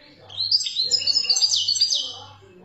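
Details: Algerian European goldfinch of wild origin singing a continuous, bubbling stream of high twittered notes for about two seconds, over a faint low hum.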